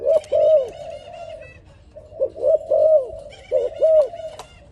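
A dove sings in soft, low, rolling coos, about five notes in two short phrases with a pause between them; nothing else is heard.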